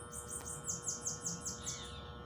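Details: Bananaquit singing in nature: a rapid high series of about seven thin, descending buzzy notes, each a quick slurred sweep, over a faint steady electrical hum.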